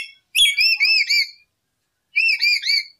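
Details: Lure recording of a lory: two bursts of clear arched whistles, each a run of three or four wavering notes with strong overtones, separated by about a second of silence.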